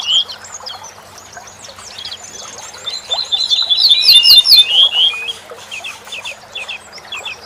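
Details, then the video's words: Tutoring recording of a corn bunting singing for cage songbirds. High chirps and short whistles lead to a loud, jangling burst of fast repeated notes in the middle, then softer scattered chirps. "Bruant Ortolan Teaching The Barley Threshing Bird to SongBirds"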